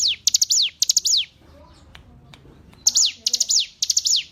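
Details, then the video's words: Hill prinia song from a tutor recording for captive songbirds. High phrases of three quick notes and a descending whistle come before and after a quiet gap that holds a few faint clicks. "Masteran Ciblek Gunung"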